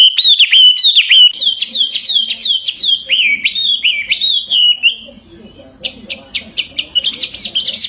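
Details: Song of a Hwamei for teaching songbirds: a run of bright, rapidly repeated slurred whistles, several per second, fading into softer scattered clicks and high notes near the end.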